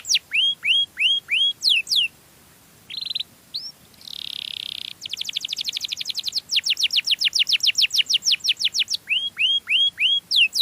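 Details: Melodious canary song used as a lure for other canaries: upswept whistles, a short buzz, a rolling trill, a rapid chopped series, then more hooked whistles.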